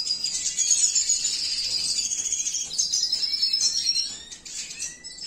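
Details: A captive-bred male Venezuelan siskin, cinnamon mutation, pours out a dense, high, tinkling trill with buzzy overtones for about four seconds, ending in a few isolated chirps.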